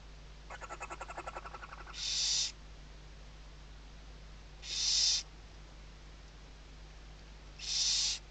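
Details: Western barn owl nest on a webcam at Riet Vell Nature Reserve, Ebro Delta, Tarragona, Spain, 2023 season, chicks under the mother's wings; a rapid ticking rattle, then three long harsh hissing screeches about every three seconds.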